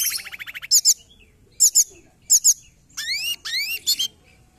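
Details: Forktail lure sound used for trapping birds: a fast stuttering series of high notes, then paired shrill chips repeated about once a second, followed by rising whistled sweeps and a final doubled chip.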